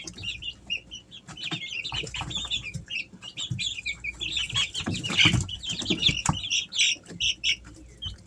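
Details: Chorus of Easter Egger chicks aged three weeks, kept at home in summer: continuous overlapping high-pitched peeps and short chirps, with intermittent rustling and bumping sounds in the background.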